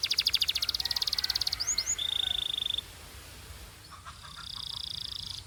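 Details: Canary in Belgian singing style gives a rapid, evenly pulsed high trill, two upward slurs and a level whistled tone. Quieter distant trilling and a soft hum follow.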